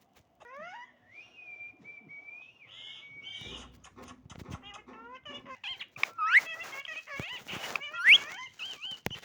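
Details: Pet parrot calling: a long rising whistle bends into a flat tone, then a run of short warbling, harmonic chatter, broken by two loud, sharp upward-sweeping shrieks near the end; faint background sounds throughout.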